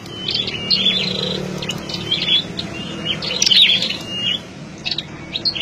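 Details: Captive flowerpeckers kept as lure birds in mesh cages give rapid, thin, high chirps in busy clusters, several notes each second, over a faint low hum.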